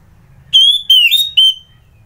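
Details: Orange-headed thrush, or anis merah, from Kubutambahan, Bali, in the morning; three quick clear whistles, level and slightly rising, with a warbled middle note, in a quiet setting.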